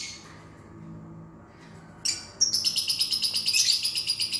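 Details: Lovebird in ngunci style, a recording used as a lure to prompt a lazy lovebird to sing; quiet at first, then a fast, steady run of high, sharp chirps repeated rapidly for the last two seconds.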